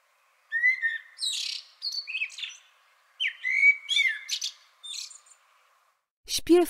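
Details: Common blackbird (Turdus merula) song: blocks of low, mellow fluted whistles, each ending in a brief, higher, scratchy twitter, separated by pauses of about three to four seconds; a voice begins at the end.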